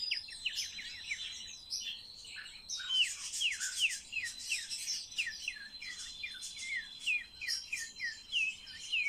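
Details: Starling undergoing talking lessons delivers a loud series of quick down-slurred whistled notes, about two or three per second, mixed with buzzy high chatter and a steady piping tone behind.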